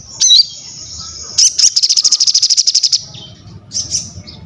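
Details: Crested jay singing, used for mental training, masterans and prompting other birds to sing: a brief squeaky slurred whistle, then a sustained rattling trill of evenly repeated high, harsh pulses for about one and a half seconds, and a short final chirp.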